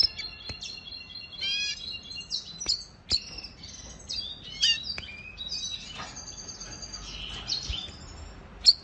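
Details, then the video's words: Red siskin singing a lot, a training song recorded in 2020: a fast, high stream of twittering chirps, buzzy trills and thin whistled notes, run together almost without pause. "Red Siskin training song"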